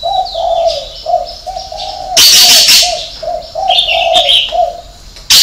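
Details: Spotted dove singing its six-note coo with a 'hậu 3' ending: a steady run of low, mellow, slightly falling coos, cut across by a loud high-pitched burst of noise in the middle and at the end.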